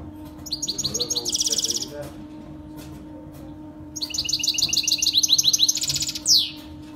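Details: Saira canary in full song for training baby Saira canaries: long rolling trills of rapid repeated high notes, each phrase about one and a half to two seconds, ending in a sharp downward sweep, over a faint low hum.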